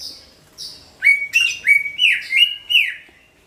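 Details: Greater green leafbird song used as a lure for all kinds of birds: loud, ringing whistled notes, each swooping up and then falling, repeated rapidly in a run of about six, after two softer high notes.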